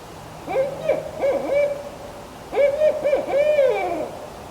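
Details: Wild Barred Owl calling in forest at Wasaga Beach, its voice revealing an owl nearby: two phrases of rhythmic hoots, each ending in a long, wavering, drawn-out note, against a quiet background.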